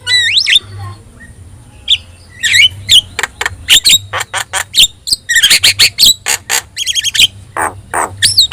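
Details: Javan myna with yellow eyes singing actively, a recording used to train other caged songbirds: rapid harsh squawks and clicking chatter in dense bursts, with a sliding rising whistle at the start and a looping whistle near the end, low hum underneath.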